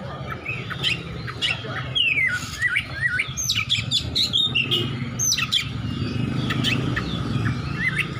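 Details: Fighting Oriental magpie-robin singing ngeplong-style to challenge an opponent: a lively jumble of rising and falling whistles and short chips, fairly continuous, over low rumbling background noise.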